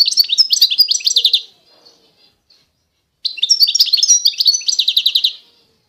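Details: Authentic Constantine-style song of a European goldfinch from eastern Algeria: two loud bursts of fast liquid twitters and rattling trills, separated by a quiet gap of about one and a half seconds.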